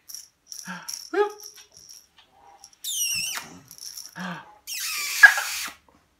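Severe macaw: a loud, harsh screech that drops in pitch, then a raspy squawk about a second long, after soft talking-like murmurs indoors.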